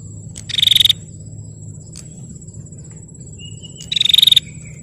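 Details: Two dry, buzzing trills from a female bar-winged prinia, sounded to provoke males into calling, about three seconds apart; a constant shrill whine and faint low rumble fill the gaps.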